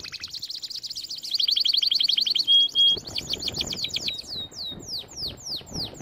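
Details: Canary song used for training canaries: a fast buzzy trill, then a slower run of repeated chips, two pure whistled notes, and a closing series of sharply downslurred whistles.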